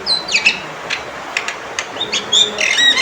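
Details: Loud male Javan myna calls, a quick mix of harsh squawks and short downslurred and level whistles, densely packed over about three seconds against background hiss.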